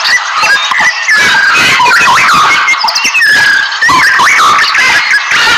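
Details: Wild macaws give loud, harsh, grating squawks that overlap almost without pause, with several birds calling at once in a noisy chorus.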